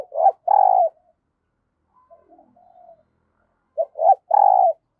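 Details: Caged decoy spotted dove giving 'thúc' calls and cooing to lure new wild birds: two loud coo phrases, each a short note, a rising note and a long buzzy coo, about three seconds apart, with soft murmured notes between.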